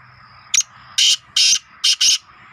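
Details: Young black francolin (kala teetar chick) at close range: a brief click, then four loud rasping bursts in quick succession, the final pair nearly joined, with a low hum behind.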